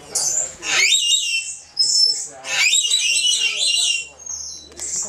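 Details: Josephine's lorikeet, recorded 24 August 2012, uttering harsh, high, rasping shrieks with sweeping pitch, in several loud bursts of about a second each with brief pauses, indoors-sounding.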